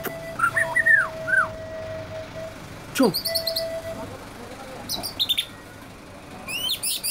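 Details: Easily agitated white-rumped shama giving short bursts of slurred whistles and a sharp downward-sweeping note, separated by pauses, with a few high thin chirps and a constant low hum behind.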